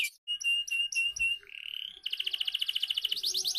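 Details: Canary song meant to prompt young canaries to sing: short clear whistled notes, a rising drawn-out whistle, then a fast regular trill of bright pulsed notes, ending in quick sweeping notes.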